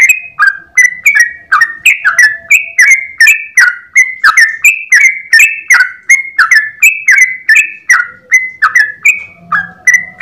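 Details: Yellow-vented bulbul (trucukan) in full morning 'ropel' song, a long unbroken phrase used to train other birds: a fast chain of clear whistled notes, each slurring downward, alternating higher and lower pitches with a faint low hum beneath.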